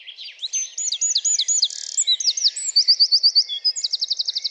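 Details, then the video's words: High-pitched Eurasian wren song pouring out rapid chattering notes and several fast, ringing trills that run together without pause, loud and close. "APPRENDRE LES CHANTS D'OISEAUX #1 : Le troglodyte mignon"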